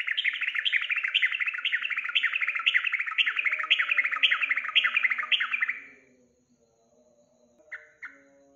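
A yellow-vented bulbul gives a fast run of bubbly, chattering phrases for six seconds, about two per second, then two short sharp notes after a pause.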